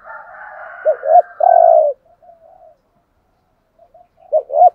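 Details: Caged decoy spotted dove giving a thúc gù coo: a short two-part hooked note and then a drawn-out level coo, with a fainter higher coo from another bird at the start and a new phrase beginning near the end.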